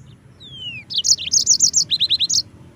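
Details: Yellow-fronted canary (mozambik) singing a tutor song for training other birds: a long falling whistle, then rapid bright repeated trills and a run of hooked rising notes, loud and clean.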